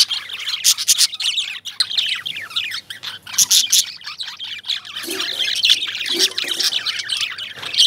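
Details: Several lovebirds chatter nonstop, their shrill chirps and squeaky notes tumbling over one another, with a few louder squawk-like bursts and faint lower sounds near the end.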